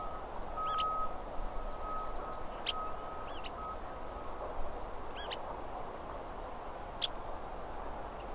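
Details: Western kingbird calling: short sharp upswept notes, some hooked, given singly at irregular intervals of one to two seconds, with a thin steady tone and a brief rapid series of clicks, over broad low background rumble.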